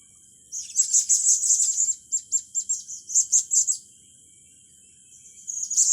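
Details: Blue-crowned hanging parrot song, with youngsters being trained. A shrill, buzzy, high-pitched trill runs for about a second, followed by a string of rapid squeaky notes and a fresh burst at the end.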